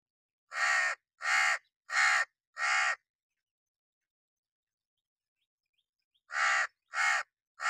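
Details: A hooded crow sitting on wood in the summer rain caws four times in quick harsh succession, falls silent for about three seconds, then resumes with three more rasping caws.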